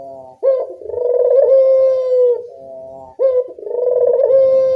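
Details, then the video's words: Barbary dove cooing at dusk as a lure call: two long, low, vibrating rolled coos, each opening with a short sharp onset, separated by a quieter soft note. "Suara burung puter senja hari pemikat burung puter malas bunyi"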